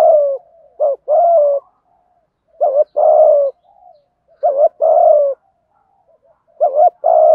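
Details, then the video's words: Cooing of male and female spotted doves meant to lure wild birds: steady low coo phrases, each a clipped double note leading into a long smooth coo, four phrases in quick succession. "Chim cu gáy thúc gù cực đỉnh dùng để anh em kích bổi mới hiệu quả, bổi gáy theo rất sung"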